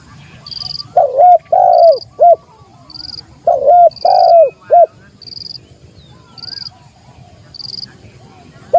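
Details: Spotted dove calling to challenge a rival: loud phrases of three or four cooing notes near 600–800, arched and repeated, with a steady high chirping insect-like tone pulsing about once a second behind.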